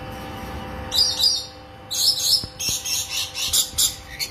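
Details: Rainbow lorikeets mating inside a cage produce rasping, high screeches in quick pulses, two at first, then a rapid stuttering run of harsh notes, with a few sharp clicks.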